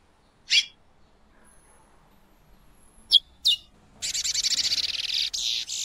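A female Chestnut-bellied seed finch gives three sharp, high chirps spaced a few seconds apart, then a fast, buzzy chattering run lasting about two seconds.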